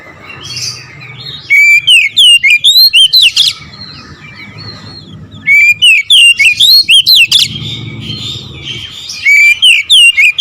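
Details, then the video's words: Oriental magpie-robin song in the nembak ngerol style, two long bursts of rapid, loud whistled notes, each slurred up or down and repeated in quick succession, separated by a quieter stretch of soft chatter. "KICAUN KACER NEMBAK NGEROOL"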